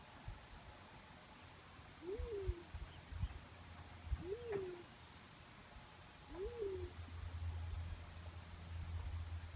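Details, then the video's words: Black-chinned fruit dove calling three times at steady two-second intervals, each a short soft hoot that swells upward then drops away, over light background hiss and a low rumble. "Natural Sound Call Of A Black-chinned Fruit Dove"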